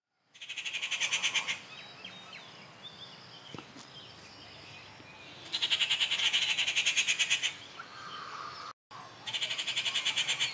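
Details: Rufous treepie calling at Kattupadi on June 19, 2021: loud bursts of rapid harsh rattling notes, about three per second, each burst lasting over a second, with quieter bird calls in between.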